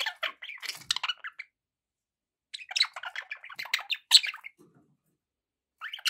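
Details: Pet budgerigars warble and squawk in scratchy chattering bursts, with a long silent gap in the middle before a lively run of overlapping chirps.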